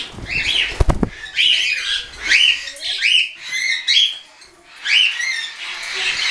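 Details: Young hand-tame cockatiels, some weaned and some not yet, recorded 10 September 2012 during flying. Harsh, scratchy screeching calls repeat about once a second after a short thump and rustle at the start.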